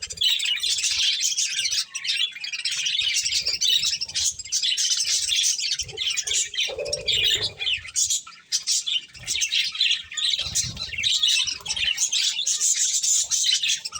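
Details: Pet budgerigars eating corn and chirping continuously: a busy flock chatter of high, scratchy warbles and tweets over fourteen seconds, with short dips and soft low rustling or pecking sounds underneath.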